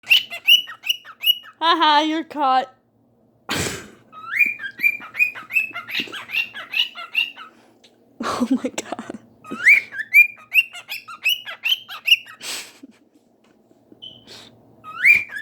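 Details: A pet cockatiel, on 7 July 2019, gives loud, bright, rising whistled chirps again and again, possibly calling out to a neighbour's cockatiel.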